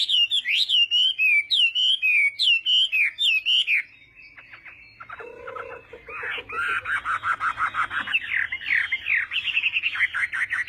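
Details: Chinese hwamei in morning fighting song practice, opening with rich slurred whistles that fall in pitch, then a dense rush of quick mixed notes and chatter that builds into rapid repeated whistles.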